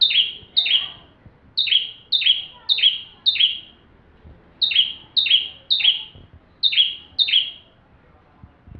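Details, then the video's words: Bar-winged prinia in full song for training magpie-robins: rapid sets of sharp, down-slurred high notes, in groups of two to four, each note with a brief tick at its start. "Burung ciblek tamu fulll gacor"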